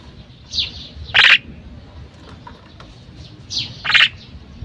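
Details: Female common myna giving two harsh, rasping squawks several seconds apart, each preceded by a thin downslurred whistle, against a quiet low-frequency background.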